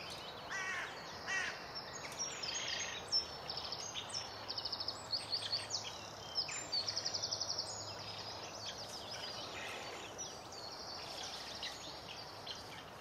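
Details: Nestling Eurasian spoonbills in a colony at Delftse Hout outside Delft, Netherlands: high, buzzy rapid trills repeated in clusters over several seconds, then fading, mixed with varied chirping from other birds.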